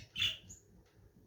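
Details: A single loud, piercing lovebird chirp, harsh and brief, followed by a faint thin squeak and near quiet.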